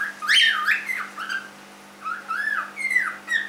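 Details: A 3-month-old cockatiel gives loud whistled calls, each a sweeping, rising-and-falling note with bright harmonics, in two bursts separated by a short quiet gap, recorded indoors in a small room.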